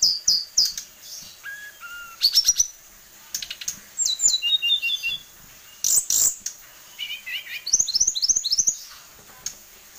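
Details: A tame kept tledekan, or sulingan gunung (Hill Blue Flycatcher), noted for its many song variations. It gives a medley of high whistles, short descending slurs, buzzy trills and rapid upward-sweeping notes in quick bursts separated by brief pauses.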